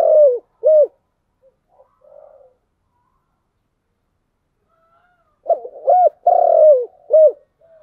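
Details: The end of one spotted dove phrase, two short hooked coos, then silence with faint murmurs. A full 'giọng đồng' (bronze-voiced) phrase follows: hooked coos, a long sustained coo and a short final note.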